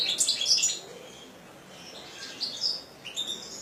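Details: Song of a European goldfinch kept by a bird keeper: a quick burst of bright, high tinkling notes, then a near-silent gap, then softer twittering phrases toward the end.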